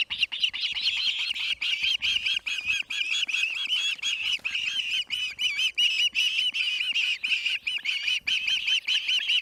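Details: Osprey screaming at the Charlo nest on August 8, 2018, around 5:30 pm MDT: loud, close, piercing whistled notes repeated rapidly, over two per second, each a short rising-then-falling squeal in an unbroken series.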